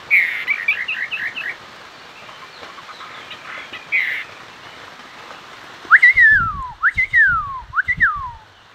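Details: Chinese hwamei (Garrulax canorus), song.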